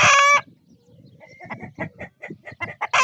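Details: Domestic guinea fowl kept together with a rooster: a loud, harsh, harmonic burst opens, followed by a quick irregular series of short raspy notes, then another loud harsh burst at the end.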